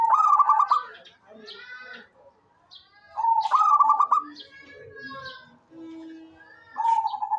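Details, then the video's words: Local zebra dove repeating its cooing song: a rolling, stuttered phrase at the start, another about three seconds later and a third beginning at the end, with other small birds chirping faintly in the gaps. "SUARA perkutut LOKAL gacor cocok buat pancingan rajin bunyi"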